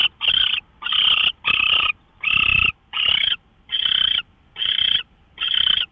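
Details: Owl heard at 5:27 a.m. on March 24, 2013, giving rough, breathy screeching hisses in steady succession, about eight bursts in six seconds, each roughly half a second long.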